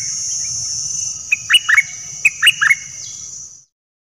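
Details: Nok dok taeng song from a Thai recording used to train young birds and excite them: two quick groups of short bright chirps, some falling, over a steady high-pitched whine and a low rumble.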